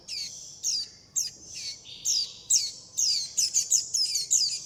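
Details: Insistent begging from young warbling white-eyes calling for their mother and flock. Shrill, downslurred high notes start spaced, then speed into rapid clustered chirps near the end.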